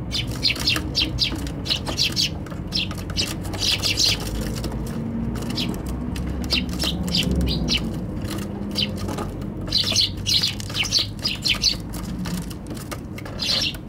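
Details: Eurasian tree sparrows gathered on a balcony in winter, 15 January 2021, before abruptly flying off: steady stream of short chirps in clusters, with a quieter middle stretch and low background rumble.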